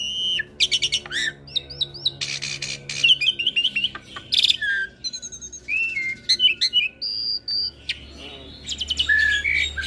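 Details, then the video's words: Hybrid Asian pied starling crossed with Jalak Nias, a cage bird, in chattering ocehan song used as a master for training Asian pied starlings; varied whistled notes, harsh buzzy bursts, rapid repeated clicks and short rising whistles, with a faint low hum. "Masteran Jalak Suren Biar Cepat gacor Dengan Ocehan Jalak Hybrid ASSU - Jalak Suren X Jalak Nias"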